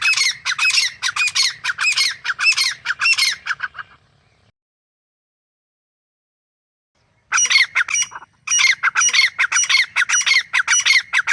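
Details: Female grey francolin: dense run of harsh, repeated squawking notes for four seconds, a silent gap, then the same rapid grating series resuming.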